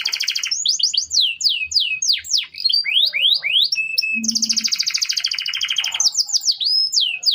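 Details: Canary singing as a training model for other birds: rapid downward-slurred whistles, a buzzy rolling trill in the middle, then more swooping notes, with a brief low tone.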